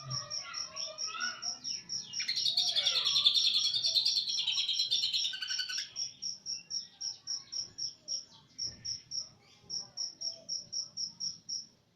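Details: Captive East Java greater green leafbird singing cililin-style phrases: a dense, rich burst of jumbled twittering and trills for about four seconds, over a steady high pip repeated roughly three times per second throughout.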